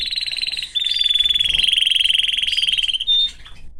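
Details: Canary kept in a cage with his family, delivering a rapid, continuous high trill for about three seconds, capped by a short bright whistle before fading.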